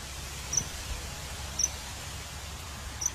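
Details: Three brief, shrill, high-pitched peeps from a common kingfisher out hunting fish, each roughly a second apart, against constant low-frequency hum.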